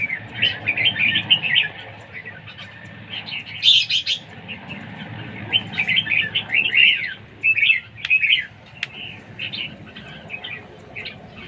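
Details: Competition singing by a red-whiskered bulbul: continuous lively warbling phrases, rapid and varied, with a sharp loud burst near the start and scattered clicks later, over a low background hum.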